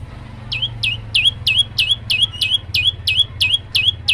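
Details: Prenjak lumut tailorbird singing vigorously in varied gacor fashion, giving down-swooping then level whistled notes, sharp and loud, repeated about three per second in a long even series over background rumble.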